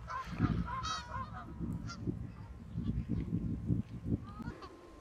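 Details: Canada geese over fields in West Somerset around the autumn equinox; a few scattered honks over heavy low rumbling wind noise.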